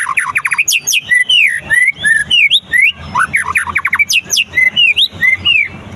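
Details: Following its moult, a white-rumped shama pours out rich song. It opens with a quick cluster of chips, then gives loud, clear whistles that arch up and down, delivered almost without pause.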